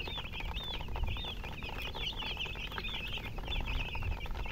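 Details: Chicks of the domestic hen peep nonstop: bright, looping high chirps overlapping from several birds at once, rising and falling quickly, over a constant low-pitched background hum.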